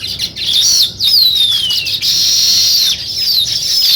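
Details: Weaver birds at work building a nest: a busy chorus of high thin whistles, with clear downslurred notes sliding from high to lower pitch over continuous chattering.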